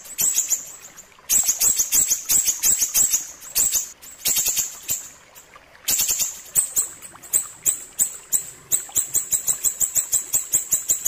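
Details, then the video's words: Ashy tailorbird giving very high, thin notes in rapid repeated bursts with brief pauses between runs; no other clear sounds. "masteran burung siri siri ampuh suara jernih"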